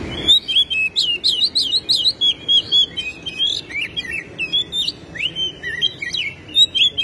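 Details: Oriental magpie-robin (kacer), a tutor bird singing hard with tail spread, unloading its learned repertoire: a dense, lively run of sharp, rapidly changing high whistles, trills and chips in quick bursts, almost free of background noise.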